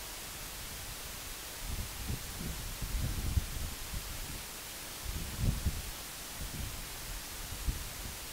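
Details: Only a hiss of static and low rumbling gusts like wind on a microphone are heard, with no animal call.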